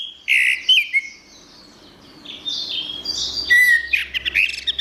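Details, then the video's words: Orange-headed thrush song for a bird that has stopped singing: a strong opening whistle and slurred notes, a quiet spell, then a renewed stream of varied warbles and sharp chirps. "Suara Anis Merah"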